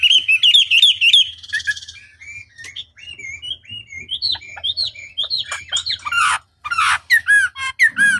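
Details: Chinese hwamei (wambi) song used as a long lure to provoke other hwamei into answering: rapid high chirps, then varied whistled notes rising and falling, ending in loud ringing whistles, over a faint low hum.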